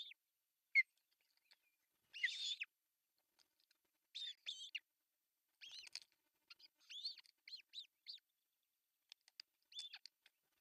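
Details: Osprey nest camera in Pohjois Satakunta, Finland, on June 10, 2024, during a breakfast fish delivery by the male. Sparse, short, high whistled calls are spread out, with long quiet gaps between them.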